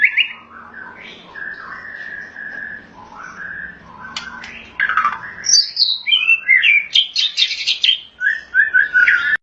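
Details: Songbird from Thailand identified as a white-rumped shama, singing a varied sequence: mellow whistled phrases at first, then a loud burst of harsh rattles and fast high chattering notes.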